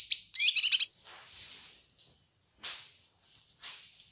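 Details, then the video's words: Kinoi bird song used to train and lure birds: a buzzy, stacked chatter that runs into high twittering, a pause, then quick bright twittered phrases with slurred high notes. "Masteran Dan Pancingan Burung Kinoi"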